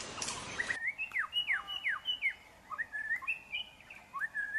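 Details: Young white-rumped shama, wild, in forest, singing clear, varied whistled phrases with rising and falling slurs, steady and melodic after a short burst of noise at the start.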